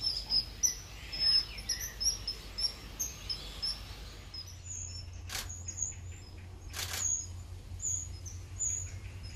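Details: Common kingfisher at Warandeputten in 2018: short piercing high whistles repeated in quick bursts for about four seconds, then sparser notes, with two brief clicking bursts and a steady low hum in the background.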